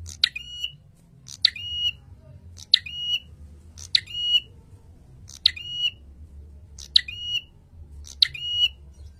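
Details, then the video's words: Birdkeepers' prinia training recording meant to provoke males: seven loud, squawky phrases at steady intervals of about 1.3 seconds, each a rough, buzzy onset sliding into a brief, flat, harmonic tone, over a soft low rumble. "Masteran Burung Prenjak Gacor - Prenjak Jantan Langsung Naik Darah Mendengar Masteran ini"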